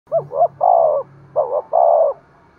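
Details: Spotted dove cooing, played to stimulate other doves to coo and call: two quick low coos followed by a longer, slurred, falling coo, heard twice in close succession.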